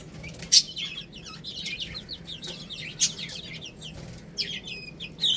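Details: A flock of chicken chicks feeding on rice: dense high peeping, short falling notes overlapping, with sharp pecking clicks now and then.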